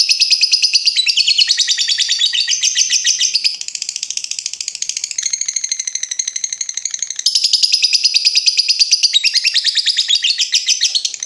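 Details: Lovebird's long chattering trill, known locally as ngekek, played for training other birds: an unbroken, rapid, buzzy rattle lasting over eleven seconds, shifting slightly in pitch and loudness.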